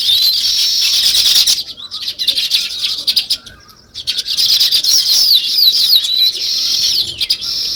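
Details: Busy chirping of many sparrows in nature: loud overlapping twitters, a brief drop to near quiet midway, then the high chatter resumes with wavering whistled notes.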